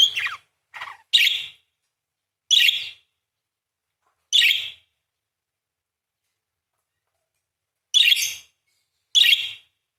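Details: Parakeet singing vigorously, in a song described as long bursts with rolling 'crecet' chatter: short harsh chirped bursts, the first few quickly grouped, then isolated phrases every one to two seconds with long silent gaps.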